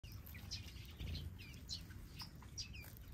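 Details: Aviary finches, including zebra, major gold, gouldian and long-tailed finches: short high chirps and curling, twittering notes from several overlapping birds, over a steady low rumble of background noise.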